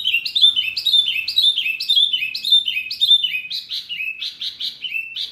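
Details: Wambi bird calling noisily to stir up other birds: a fast chain of sharp, downslurred whistles about two per second, turning buzzier and more clipped near the end.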